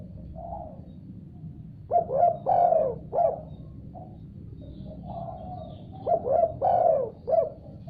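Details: Spotted dove answering eagerly after hearing another call: two phrases of soft mellow coos, each with a louder, drawn-out rolling middle note, about four seconds apart, over a low steady background hum.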